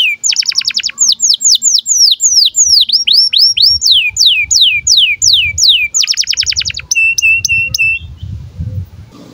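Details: Breeding-condition canary song used to tutor young canaries, rapidly changing between high whistled sweeps, buzzy rolls and fast rattling trills in quick succession, bright and continuous, with a low rumble underneath.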